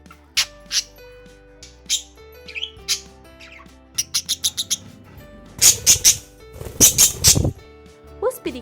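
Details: A pet budgerigar gives two bursts of harsh, shrill, rapid screeching chatter, each about half a second long, over steady background music; budgies make this little scream when angry about something or simply communicating.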